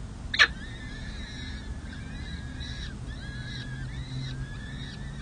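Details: Four peregrine falcon chicks, six and seven days old, calling at a nest on San Jose City Hall, California, while a parent feeds them, 7 May 2024. Thin, wavering harmonic squeals repeat in quick runs, with one sharp click and a low background hum.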